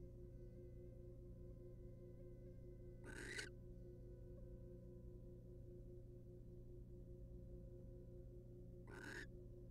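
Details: Wild barn owl pair in a monitored nest box while the male preens the female; two short, harsh, noisy hisses about six seconds apart over a constant low hum.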